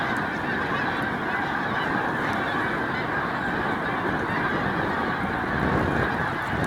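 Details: Large flocks of Snow Geese pausing on spring migration at Cayuga Lake, New York, in March 2021 keep up a steady honking chorus, partly masked by heavy low wind-like rumble.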